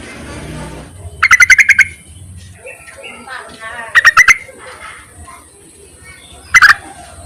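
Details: Yellow-vented bulbul calling to males, a sound used as a lure: three loud, harsh bursts of rapid chattering notes, each under a second, spaced about three seconds apart, with a low murmur and faint rustling between them.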